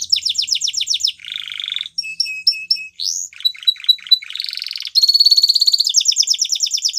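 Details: Spanish Timbrado canary in full varied song: quick downward chips, a buzzy roll, evenly spaced short notes, a rising slur, then bright continuous metallic trills.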